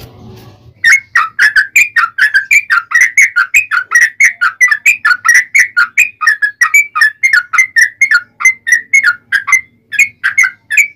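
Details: Yellow-vented bulbul in fighting song with long rapid phrases, used as a lure to make other bulbuls answer; a quick, steady string of short bubbly whistled notes, about four per second, continuing without pause after a soft low start.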